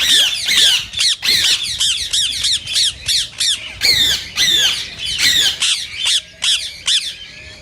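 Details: Green rose-ringed parakeet giving harsh calls to stimulate singing and mating: repeated loud, shrill screeches in clusters of two to four, with short silent gaps between clusters.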